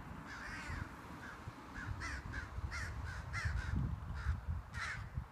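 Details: Two large crows harassing and chasing off a hawk with a three-foot wingspan from their crow colony; a run of harsh, hoarse caws in uneven bursts, some slurred and drawn out, over low wind-like rumble.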